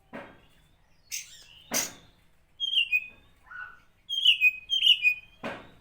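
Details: Oriental magpie-robin song used as a lure to rouse other magpie-robins: sharp whistled and trilled notes in short phrases, mixed with loud clicking knocks.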